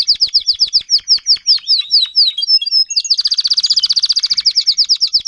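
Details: Adult Timbrado canary tutor singing to teach young canaries, 2021: a series of repeated downslurred chirps about five per second, then a dense rapid high trill.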